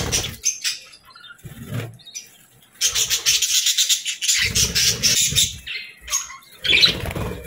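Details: Budgerigar chirping in bursts; busy scratchy chatter and quick chirps alternate with short quiet gaps, with some low thumps between.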